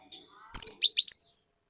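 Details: Energetic cinereous tit song used as a bird-stirring lure: a single quick phrase of one bright high whistle followed by three rapid downward-slurred notes, ending abruptly in silence.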